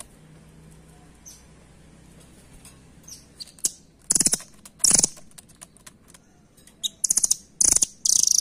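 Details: Velvet-fronted nuthatch, called rambatan, quiet at first with faint ticks, then breaking into several short, piercing, rapidly pulsed high trills toward the end.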